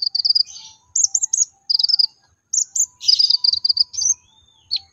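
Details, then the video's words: Lure song of a Brown-throated sunbird (konin), played so other sunbirds start singing: short bursts of very high, sharp twittering notes, roughly one burst per second, some with a brief buzzy edge. "Pancingan konin agar cepat nembak"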